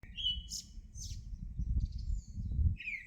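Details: Bird song: a steady whistled note, then short high buzzy bursts, ending with a falling slurred whistle, over a heavy low rumble of background noise.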